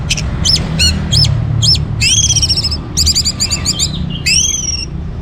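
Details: Orange-headed thrush singing actively, used to prompt other birds to sing: sharp repeated downslurred notes, then rich warbled and rippling phrases with trills, over a steady low hum.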